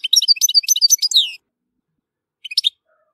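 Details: Brief outburst of tinkling, high twitters from a European goldfinch at Tissemsilt, lasting just over a second, followed by silence and a short three-note chirp.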